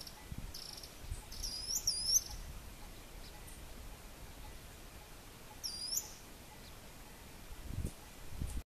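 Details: Ochre-lored (yellow-breasted) flatbill, Tolmomyias flaviventris, singing agitatedly while confronting another of its species nearby before each moved off, gives two short bursts of thin, sharp, high notes about four seconds apart over a low hum.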